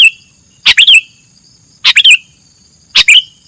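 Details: Sooty-headed bulbul, recorded for songbird training: three quick bright two-part chirps ending in a falling slur, spaced about a second apart, with a constant high-pitched whine behind them.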